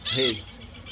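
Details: Peach-fronted Parakeet (periquito-rei), described as a noisy bird, calling near other noisy birds in trees beside a field with grazing cattle; one short, harsh, raspy squawk with a buzzy lower undertone, then quiet background.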